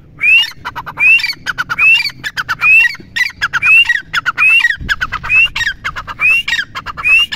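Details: A red partridge calls loudly and harshly over and over, each phrase ending in a rising whistled note, about one phrase every three-quarters of a second.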